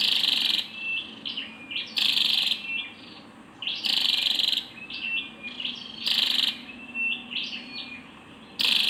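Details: Calls of a female scarlet-backed flowerpecker: a repeated pattern of rasping high bursts every two seconds or so, each followed by quick thin twittered notes.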